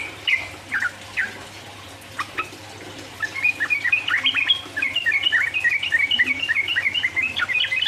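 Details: Sooty-headed bulbul singing 'ropel uplik uplik' to excite rival birds. A few scattered whistled notes lead into a dense, bubbly stream of fast chirping phrases over a faint low hum.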